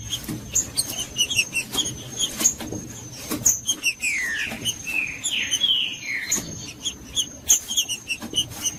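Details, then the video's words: Green-winged saltator giving its Judas song to rouse cold, non-singing saltators: scattered sharp ticks and chips, then around the middle four strong downward-slurring whistles in a row, more ticking after, and a steady thin tone behind. "ESQUENTAR TRINCA FERRO FRIO 2024 TRINCA FERRO JUDAS"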